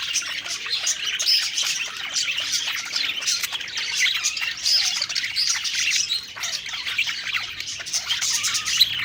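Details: Happy budgerigars chatter while eating; several birds overlap in steady, high warbling with scratchy notes and quick tweets that run throughout without pause.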